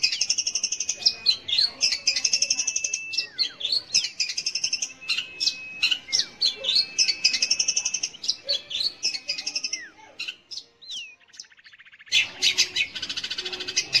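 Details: Song of a long-tailed shrike, played to prompt young or non-singing shrikes, made of rapid buzzy chatter mixed with downward-sliding whistles and a long steady whistle, briefly pausing before resuming rapid notes.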